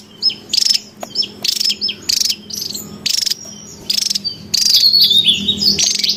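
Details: In the wild, a noisy Javan tesia on lure and training audio gives clipped buzzy chatter bursts and high down-slurred whistles, ending in a longer rattling run with bright warbled notes.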